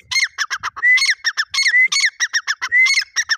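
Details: Grey francolin, called Irani dakhni teetar, in a rapid, continuous run of harsh, squawky notes mixed with longer rising whistles, each repeated several times a second.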